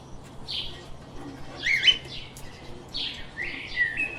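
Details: Chirping pet lovebirds: a brief squeaky note early, then a louder cluster of shrill, rising chirps, a short pause, and another run of harsh tweets ending in a thin sliding whistle, with a faint low hum beneath.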